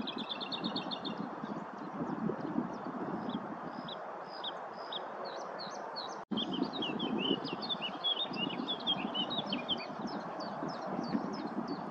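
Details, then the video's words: A singing Lesser whitethroat collecting nest material at Viersel Gebroekt on 27 April 2021 opens with a quick dry rattle on one high pitch, then gives soft scratchy warbling phrases over a steady wind-like rush. "Zingende Braamsluiper"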